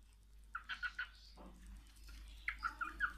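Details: A hand-tamed cockatiel whistling in an aviary gives two quick runs of four short, bright whistled chirps, separated by a brief pause.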